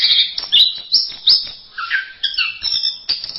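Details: An orange-headed thrush sings for a masteran recording, pouring out high twittering notes and then lower slurred whistles that end in clipped, repeated chirps.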